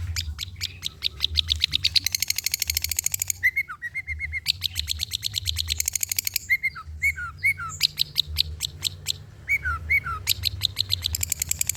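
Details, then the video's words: Long-tailed shrike song used as a tutor recording to train birds to sing: a fast, busy run of varied chattering notes and dense trills, with slurred whistled phrases dropping in pitch in the middle section. "PANCINGAN CENDET SUSAH BUNYII, DIJAMIN GACOR DENGAR SUARA CENDET INI"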